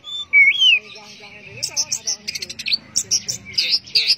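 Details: Orange-headed thrush singing teler style: a loud looping whistle, then a varied chattering run of short high notes and buzzy bursts.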